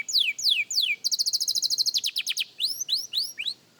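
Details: Practice song of a young canary. Three long downward-gliding whistles lead into a rapid buzzy trill, followed by a few upward-curving notes that fade out.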